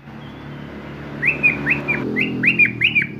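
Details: Varied song of a sooty-headed bulbul: a quick run of about six clear, down-slurred whistled notes in two bubbly phrases, over a background drone and faint traffic-like rumble.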